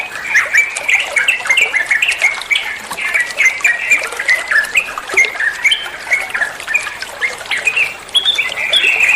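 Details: Olive-winged bulbul in full song as tutor material for songbirds: rapid strings of short, clear whistled notes stepping up and down, loud, steady and unbroken.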